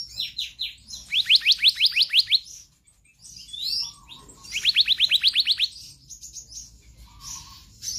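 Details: Rapid trills of about nine rising whistled notes, given twice, interleaved with softer high phrases: konslet song of a magpie-robin.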